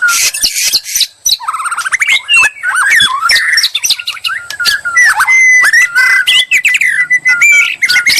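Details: Bait song of a white-rumped shama to provoke reply, a busy stream of harsh chatter, clicks and sweet rising whistles, with long steady whistled notes in the second half.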